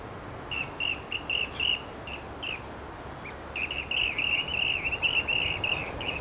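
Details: Rainbow bee-eaters at Byron Bay, NSW, giving short rolling trilled notes in quick bursts, then a longer run of near-continuous chattering trills over a steady hiss of background noise.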